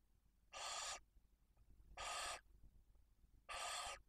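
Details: Barn owl nest in Cabañeros National Park, Spain, where a male supplies prey to the female and two chicks aged one and four days; three even, harsh hisses, each about half a second, spaced roughly one and a half seconds apart.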